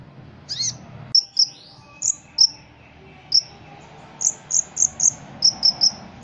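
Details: Caged Ruby-cheeked sunbird, a competition songbird, sings with mimicked fills of cricket, cotton-bird and cililin sounds. It gives sharp, very high chipping notes, singly and in quick runs of three or four, after a brief upslurred note.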